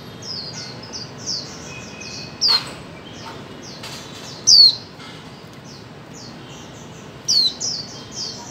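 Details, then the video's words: Calling female white-eye, recorded for training mute birds to sing: a run of soft, high, quick chirps broken by three loud, sharp, falling notes spaced roughly two to three seconds apart, plus a few faint clicks. "Khuyên mái 2024 hàng giành cho chim câm"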